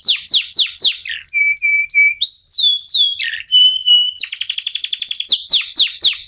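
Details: Local canary in full song, played to spur other canaries to sing: rapid descending chirps, clear steady whistled notes repeated three times, looping slurred phrases, then a dense fast rolling trill and more sweeping downward chirps.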